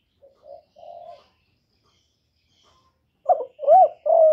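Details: Spotted dove lure bird, recorded clean and close: a soft three-note phrase of low hollow coos, silence, then a louder phrase of quick short notes ending in a long sustained coo.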